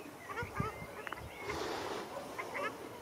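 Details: Ruddy shelducks fighting in Arucas, Gran Canaria, on 13 February 2021, trading nasal, honking calls in several quick bursts over three seconds, with a low voice of a person in the background.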